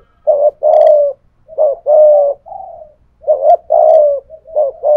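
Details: A decoy spotted dove, 'thổ pha thúc' style, contests a wild dove with low cooing. Short clipped notes lead into long, buzzy coos, and a softer, slightly higher note sits between phrases. Faint high clicks are heard twice.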